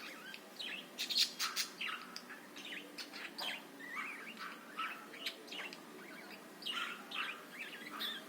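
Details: Budgerigar song meant to stir up other birds to sing: busy run of sharp chirps, short rising and falling whistles and squawky notes, irregular and continuous, over a faint low background hum.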